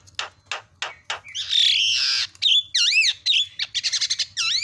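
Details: Javan myna filler song (isian) used as a training master for mynas: four harsh, evenly spaced chattering bursts, then a long raspy note and a run of loud whistled swooping and looping notes with rapid scratchy chatter.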